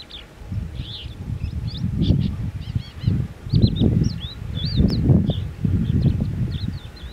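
A Malabar lark gives a quick, varied series of thin chirps and short whistled notes, some rising, some trilled, over heavy gusting wind rumble.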